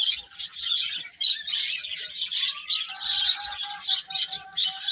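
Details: Baby chickens peep shrilly and nonstop while eating and playing, the chorus fluttering in quick pulses, with a steady faint tone entering midway.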